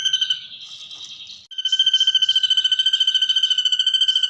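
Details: Ashy drongo mimicking the 'kunti' ghost sound: brief pulsed high tone, a softer wavering phrase, then a long loud run of rapid, regular pulses.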